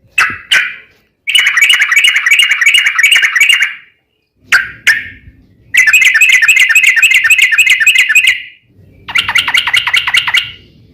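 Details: Yellow-vented bulbul giving long rapid rolling song, played as a lure to make other bulbuls sing; loud chattering bursts, some brief, others running two to three seconds of fast repeated notes, with short silent gaps between.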